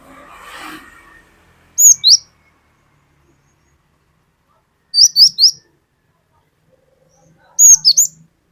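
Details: Cinereous tit (glatik batu) in a lure recording of the long 'wucit wucit' style: three short bursts of two or three sharp, high, rising whistles, spaced a few seconds apart, after a brief soft rustle.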